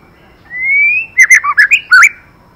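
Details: Female white-rumped shama singing to stimulate a male: a long, slightly rising clear whistle followed by a rapid burst of sharp, varied chirped notes, the phrase lasting about two seconds.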